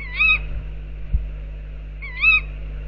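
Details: Tawny owls outside an owl box; one gives two sharp, nasal 'kewick' calls about two seconds apart over a low background hum, with a single dull thump between them.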